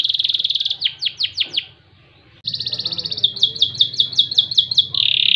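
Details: Kenari jambul loper song, cengkok gurih: a fast buzzy trill, sharp downslurred chirps, a short pause, then another trill leading into rhythmic repeated chirps and a final rolling buzz.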